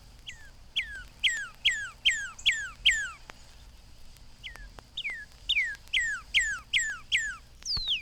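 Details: A northern cardinal on a spring morning sings a rapid series of loud, clear downslurred whistles, about two per second, in two runs separated by a short pause, like "hurry home, hurry home."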